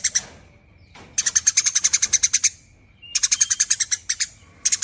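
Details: Eurasian tree sparrow chattering long and fast in nyerecet style, a sound used to draw out other birds' calls: extended runs of crisp, dry high chips broken by short pauses.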